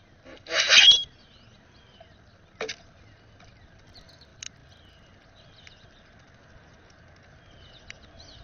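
A common grackle gives one harsh, wheezy, creaking squeal lasting half a second, followed by a short rasp and a few faint ticks in a quiet outdoor setting.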